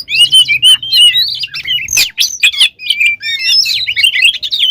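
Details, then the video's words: Loud, energetic oriental magpie-robin song meant to rouse other birds: clear whistled notes, rising and falling slurs and rapid scratchy twitters run together without pause, plus a faint low hum beneath. "Suara Burung Kacer Gacor Full Isian, Pancingan Kacer Gacor Agar Cepat Emosi"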